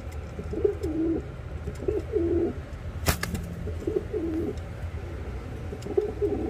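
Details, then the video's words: Yellow Reversewing Pouter pair, Philippines: soft, throaty coos in short wavering bursts roughly every second and a half, with one sharp click midway and a low hum underneath. "REVERSEWING POUTER - YELLOW PAIR"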